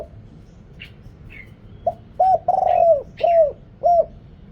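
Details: Thai decoy spotted dove with a deep voice calling to wild birds: a quiet opening note, then a hoot, a long throaty rolling coo and two clear falling coos; thin chirps of a small bird before and during.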